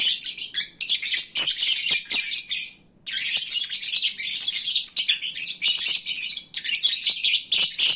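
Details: A flock of lovebirds, full and sleepy at midday, producing a loud, almost unbroken din of high squeaky chatter with one short silence near the middle.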